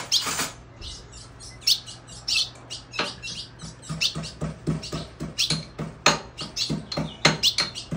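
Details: Colombian Ultramarine grosbeak female calling busily after moult, her wings still with pin feathers. A dense, uneven series of sharp high chirps runs about ninety a minute, mixed with soft clicks and rustles in a small room.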